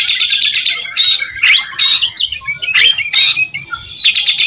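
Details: White-rumped shama song used to stimulate other shamas: loud bursts of harsh, scratchy notes and clear whistles in short phrases separated by brief gaps.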